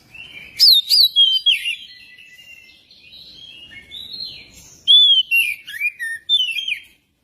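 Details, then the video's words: ['Magpie-robin singing, used to coax another magpie-robin into song: sharp rising and falling whistles in rapid clusters, a soft rambling warble in between, then a second loud run of bright notes.'] "pancingan kacer biar cepat gacor dan ngobra"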